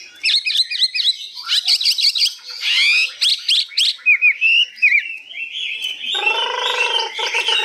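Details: Newly arrived Hwamei, 85% tame, singing high with long phrases: varied rich song mixing quick looping whistles, harsh buzzy bursts and rising slurred notes, ending in a rapid rattling trill with high chips.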